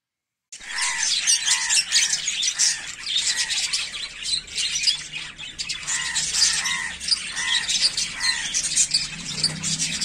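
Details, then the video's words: Rosy-faced lovebirds chirping loudly and without pause, harsh high chatter with arched, repeated squeaky notes recurring roughly every half second through the stretch. "Rosy Faced Lovebird Chirping Sounds"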